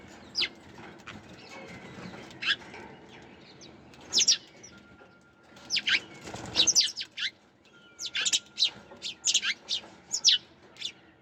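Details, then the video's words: Sparrows chirping: scattered sharp tweets at first, building to tight flurries of high, clipped notes, with a quiet steady tone in the background. "Sparrows Chirping Sound"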